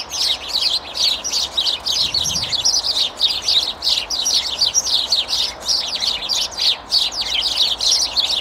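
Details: A boisterous flock of sparrows squabbling in a tree chatters nonstop, with bright, overlapping chirps tumbling over one another about three times a second.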